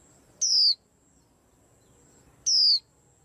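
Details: White-eye causing a commotion: two loud, piercing high whistles, each dropping in pitch, about two seconds apart, with near silence between.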